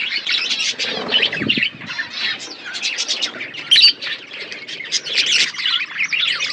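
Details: Budgies chirping in a colony setup, lively warbled chatter from several birds with quick rising and falling notes, a sharp squawk near the middle and faint wing flaps.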